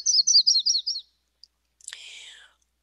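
Yellow-rumped Warbler song: a loose, sweet trill of about six high slurred notes over one second, sagging slightly at the end, followed by a brief human voice.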